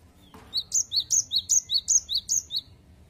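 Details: A cinereous tit delivers a clean, evenly spaced 'wucit wucit' song of about ten high whistled notes alternating low and high pitch. A brief soft click comes just before the song begins, over quiet background rumble.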